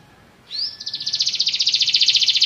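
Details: After a moment of quiet, a Belgian canary opens with a rising whistle, then breaks into a quick, buzzy, pulsing trill that grows louder.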